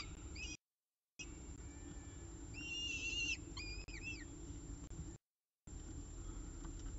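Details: Nestcam recording of peregrine falcons at CSU Orange during the evening meal, 18 October 2018, about 6:51 pm; a short cluster of sharp, arched squealing calls midway through, with steady low background hum and brief dropouts.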